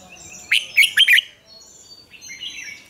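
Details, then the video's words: Red-whiskered bulbul singing a double-note, wild-style morning song for training other birds. One quick phrase of four bright, bubbling notes runs for about a second, followed by soft distant chirps. "luyện chào mào hót sáng, Ép chào mào hót âm kép già rừng hay tuyệt!"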